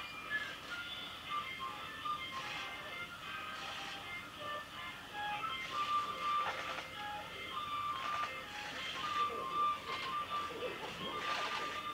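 Steady background music with sustained tones and soft rhythmic bursts fills the recording; no animal voice stands out.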